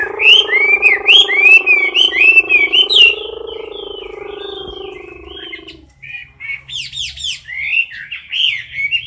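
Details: Chinese hwamei singing in a cage in competition style: rapid looping whistled notes over a steady low buzzing tone for six seconds, then a short pause before renewed sharp upward whistles.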